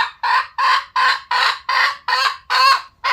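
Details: Loud, rough cackles from a red junglefowl, about eight broad grating bursts spaced roughly a third of a second apart, each swelling then tailing off.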